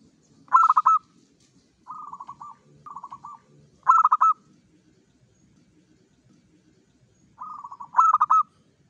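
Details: Local zebra dove singing actively at dawn, used as a lure to stir other doves: loud rolling coos in half-second bursts, some broken into rapid pulsed trills, repeated every one to three seconds over a low rumbling background.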